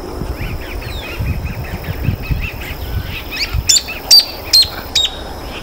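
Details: Freckle-breasted thornbird (Phacellodomus striaticollis) at Laguna del Diario, Uruguay, 17 April 2013: a soft run of quick high notes, then four sharp, loud chips about half a second apart, over low wind rumble.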